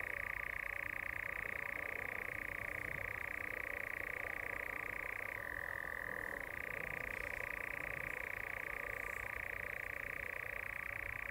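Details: Continuous churring of a European nightjar in dusk courtship: a fast, dry, pulsing trill that shifts briefly to a lower pitch midway, then returns to its original level.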